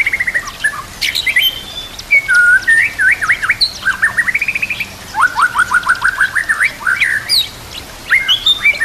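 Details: A lively white-rumped shama of fighter type sings a song full of varied fill-ins. Clear whistled slurs, zigzag phrases and fast rising note series follow one another with short pauses over quiet natural background.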